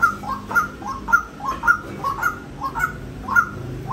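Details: Rhythmic, croaking notes of a white-breasted waterhen, around seven in four seconds, some paired with a lower second syllable, over steady faint background hum.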